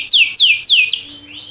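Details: Canary singing for training, timbrado type: four clear downslurred whistles about a third of a second apart, then a soft rising note.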